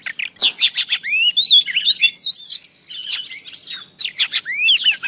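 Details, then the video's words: Female Oriental Magpie Robin singing to stimulate male birds: a rich, varied, nearly continuous run of clear whistled slurs, rising and falling, mixed with quick sharp chips and brief buzzy notes, with a short softer pause near the middle. "Than mái hót kích trống Oriental Magpie Robin Female"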